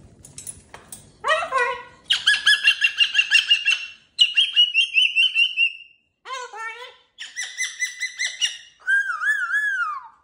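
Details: In its cage with new jingly toys, a cockatoo chatters: a falling squawk, rapid pulsed 'woo' runs, a steady tone, speech-like bent syllables, and a closing wavering whoop series, faint rustling at the start.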